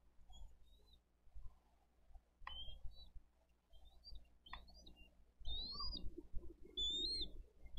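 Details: Live nest stream of bald eagles in Dade County, 22 April 2023, as adults deliver fish and feed the eaglets. Sparse, sharp rising chirps and short whistles, growing busier toward the end, with low rustling and rumble beneath.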